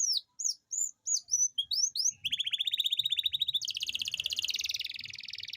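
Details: Canary song with long rolls, meant to set silent canaries singing: a few high whistled slurs, then a rapid pulsing trill shifting into a denser, higher buzzing roll, faint low background rumble.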